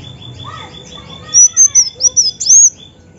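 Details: {'caption': 'Female Olive-backed sunbird uttering a rapid string of about seven shrill, thin, upward-flicked chirps, preceded by a softer lower whistle and fainter twitters.'}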